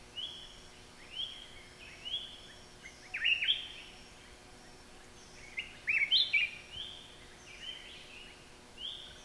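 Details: Black-crested Bulbul in Thailand giving a string of short, rising whistled phrases that repeat every couple of seconds, with two louder, tumbling bursts of slurred notes partway through, against a light background hiss.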